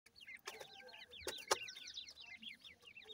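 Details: Female grey francolin with her chicks, feeding and foraging at home: dense high peeping notes, short rising-falling chirps overlapping continuously, broken by a few sharp clicks.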